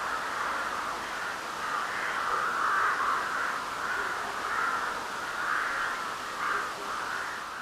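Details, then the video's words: Crows calling through a full-moon spring night in March 2021. Dense, raspy cawing repeats in quick pulses, several birds overlapping into one rough, continuous chorus against a hissing background. "Varnų garsai"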